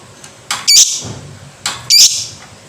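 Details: Lovebird uttering two harsh, buzzy squawks, each preceded by a softer rasp, about a second apart in a quiet room.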